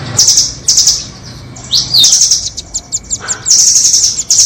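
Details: High trilling nuthatch calls, doraemon and red-billed types, used to lure birds into traps: short bursts, an upward-swept whistle, a run of quick separate chips, then a longer ringing trill.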